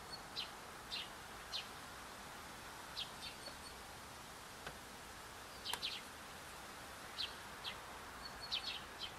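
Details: Tits at a bird feeder outside a window give short, high chirping calls in scattered bursts, some doubled, over a steady low background hiss.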